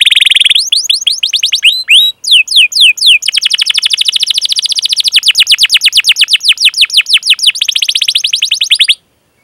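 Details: Canary training song of 'cuit cuit' chirps and trills for young birds: high buzzy opening, a few hooked whistles, then a long fast run of short chirps before abrupt silence.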